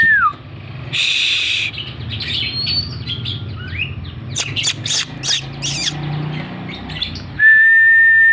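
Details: Oriental magpie-robin, tail open while singing hard, caught on a string: harsh squawky notes and scattered sharp chips amid noisy bursts, ending with a flat sustained whistle-like tone.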